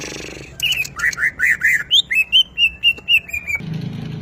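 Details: Caged greater green leafbird in energetic song at home: a fast series of clear whistled notes, first dipping low and then rising, repeated about twice a second, with a soft background hum.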